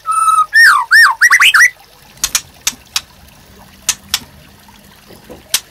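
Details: White-rumped shama master song for training caged birds. A loud, steady whistle leads into looping, rising and falling whistled notes, followed by scattered faint clicks.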